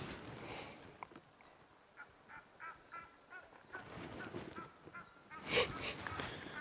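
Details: Egyptian geese at Rietspruit Game Reserve, Lowveld, South Africa, on a hot late-August evening give rapid harsh nasal honks, ending in a louder raucous burst, upset by lions nearby; faint voice and hum.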